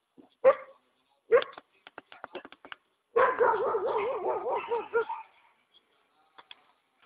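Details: Free-roaming hyacinth macaw at a rural property near Ilha Solteira by the Paraná River, Brazil: two short harsh squawks, some faint clicks, then a long rasping, wavering call of nearly two seconds.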